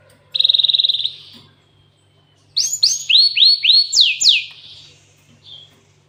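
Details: Cinereous tit with canary fill: a fast even trill, a quiet gap, then about eight loud swooping notes that dip and climb, ending with a faint short chirp.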